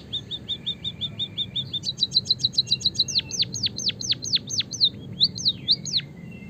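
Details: White-headed munia chirping, used to lure other birds into singing: a quick run of short, high, evenly spaced tweets, then a string of sharp, high notes that each sweep steeply downward, over a faint low background hum.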